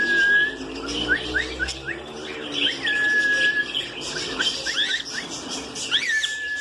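Budgerigar chatter: level whistled notes mixed with quick rising and falling chirps, irregular and busy, with other birds chirping in the background.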